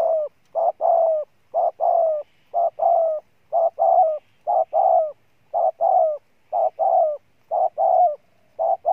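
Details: Spotted dove used as a decoy coos vigorously and evenly. Paired notes with a slight falling end recur about once a second throughout a clean recording.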